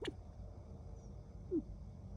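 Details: California quail building a nest gives two soft, low, downslurred hoots about a second and a half apart, over a faint steady background rumble.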